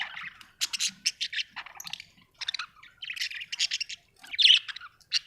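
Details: Pet budgies at home chatter continuously with short buzzy notes, clicks and squeaky chirps in uneven bursts throughout.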